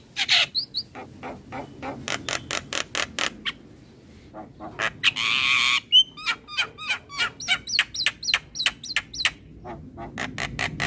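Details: Javan myna in the morning, a lure for young birds: long runs of harsh repeated rasps, a noisy hissing burst, then short hooked whistles mixed into the chatter.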